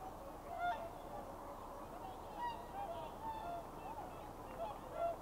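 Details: In winter at dawn, swans leave their night roost on a lagoon to feed in nearby rice fields, giving short, nasal, bugle-like honks, with several birds overlapping in loose bursts over a steady low rumble.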